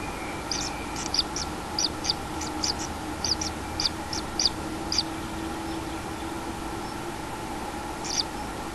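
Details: Common kingfisher nest holding a one-day-old chick, July 2016: a quick burst of sharp, high-pitched ticks, often doubled, runs for about four seconds, then a pause and one last tick, over constant low hum and hiss.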